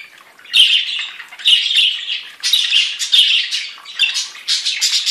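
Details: Budgerigars, several birds, in a continuous warble of harsh, buzzy chatter and chirps, delivered in phrases roughly one second long that follow each other almost without a break.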